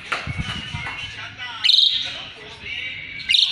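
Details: An Asian pied starling singing as a tutor for magpie-robins: low murmuring sounds come first, then two loud, grating bursts about one and a half seconds apart.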